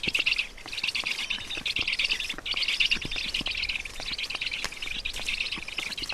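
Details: Black storks at a nest in Estonia during feeding, 20 June 2019 around 12:36; harsh, buzzy, chattering bursts roughly every second, dense and high-pitched, with scattered sharp clicks and rustling.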